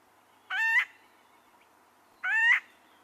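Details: An acorn woodpecker in the Sierra Nevada region gives two of its very common, distinctive calls: harsh, nasal, slightly rising squawks, each about a third of a second long and nearly two seconds apart, over faint hiss.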